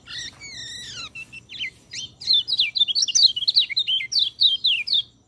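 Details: Master recording of white-eye song for training birds reluctant to sing: a few drawn-out descending whistles open, followed by a rapid, high-pitched twittering warble of many quick looping notes, bright and continuous until it stops abruptly.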